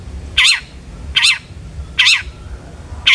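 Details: Long-tailed shrike, calling to make other shrikes sing, repeats a wavering grating note about every 0.8 seconds, four times in a row.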